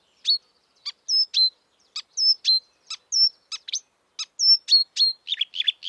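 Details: Song of a wild marsh warbler: spaced sharp ticks interleaved with thin, high whistled notes, closing in a quick scratchy chatter.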